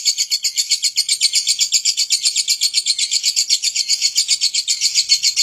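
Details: Talkative lovebird giving a long 'ngekek' chatter: a rapid, even, buzzy trill of high chirps repeated about four times a second, sustained through the whole stretch with no other sounds.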